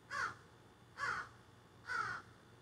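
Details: Harsh crow squawks from a flock in trees behind a garden: three evenly spaced caws, each nasal and grating, roughly one per second over a low steady hum.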